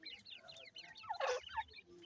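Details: Grey francolin chicks during feeding: a quiet string of thin, descending peeps repeated quickly, with one louder, broad burst near the middle.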